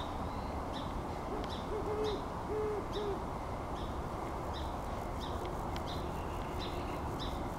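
A great horned owl gives a quick run of four soft, deep hoots, then falls silent. Steady low rumble throughout, with faint high ticking chirps repeating.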